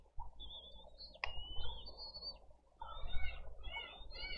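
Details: Bald eagle chick begging for food at a wild nest in Dade County on 20 April 2023, an older chick among siblings. Thin whistled notes, then clustered chittering peeps, over low rumbling wind.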